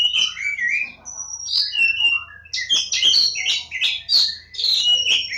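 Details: Javan magpie-robin (kacer Jawa) at Lebakgowah delivering continuous varied song: slurred whistles rising and falling, then fast clusters of sharp, buzzy notes, with a soft background hum.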